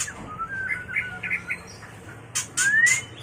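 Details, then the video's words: White-rumped shama mating call meant for training and luring birds: soft warbled whistles, then loud broadband chacks and a long clear upslurred whistle. "Suara murai batu kawin paling ampuh untuk terapi dan pikat burung agar cepat gacor"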